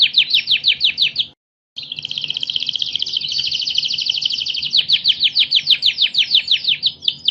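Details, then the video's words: National champion canary giving a fast pulsed trill, a brief silence, a long dense buzzing roll, then crisp repeated downslurs. "Burung Kenari Super Gacor Juara Nasional | Kicau Burung"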